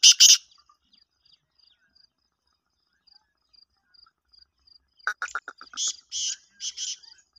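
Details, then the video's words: Black francolin call: a quick run of clipped notes speeding up, then loud harsh rasping phrases in pairs. A thin, steady insect chirping pulses throughout, with a sharp noise at the start. "kala teeter ki awaz kala teter"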